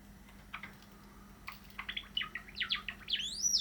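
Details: Practising song from pet cream Java sparrows, one male and one probably female: scattered quiet chips give way to a quickening string of sharp clicking notes and bright chirps, finishing in a high upward whistle, with a faint room hum beneath.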